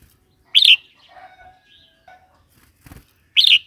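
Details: Red-whiskered bulbul song, intended to stimulate new or wild birds and teach youngsters: a sharp bright burst of notes, quieter whistled tones, then a clattering noise and the burst again after nearly three seconds.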